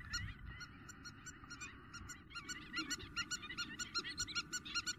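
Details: Spur-winged lapwing giving intense calls in Greece, April 2023: strident, ringing notes that start spaced and scattered, then build into a dense, fast run of loud pulses.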